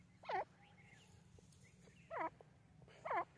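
Grey francolin giving three loud, harsh, looping calls about once a second, each sliding up and down, over a steady low hum.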